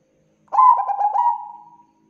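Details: Zebra dove, Bangkok type, singing in a recording meant to set other doves singing: a soft rolling coo of fast stuttered notes that eases into a lengthening, fading whistle-like hum.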